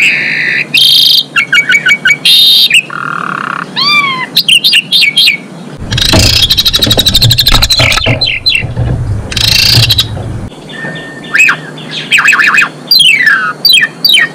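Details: Female Asian pied starling in lively song, meant to bring males into breeding condition; rapid chatter, falling whistled slurs and harsh squeals, with a rumbling noise in the middle stretch before sharp descending notes resume.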